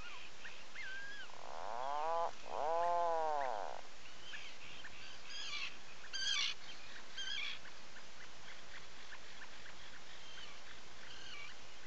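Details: Atlantic puffin in its burrow at a breeding colony, Seal Island National Wildlife Refuge, Maine, morning of 9 July 2018; two loud, wavering, harmonic groans in a row, then distant sharp chirps and clicks over constant hiss.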